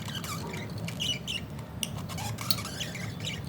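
Budgerigars give scattered short, squeaky chirps and chattering notes at a quick, irregular pace, over a steady low indoor rumble.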